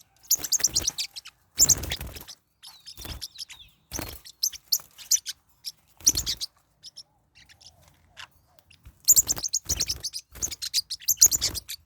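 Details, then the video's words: Caged parrotlets squabbling in a fight, giving repeated harsh, raspy chirping bursts of varying length with brief pauses, some soft scraping between outbursts. "My birds are fighting"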